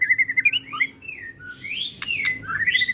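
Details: White-rumped shama of the 'pastol' type sings a lure phrase meant to rouse emotion: a rapid burst of quick chips, then smooth sliding whistles, a pair of sharp clicks and a rising whistle that levels off.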